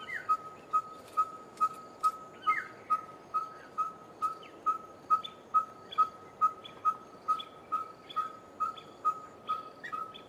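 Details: Monotonous call of a red-fronted tinkerbird, a sound of hot midsummer days: evenly spaced pure whistled pips on one pitch, about two per second, with higher chirps from other birds scattered through the background.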